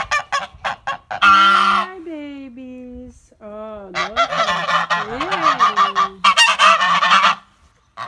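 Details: Sebastopol geese recorded on February 18, 2018: loud, harsh honks in rapid bursts with a few longer, nasal, wavering calls that rise and fall, several birds calling over one another.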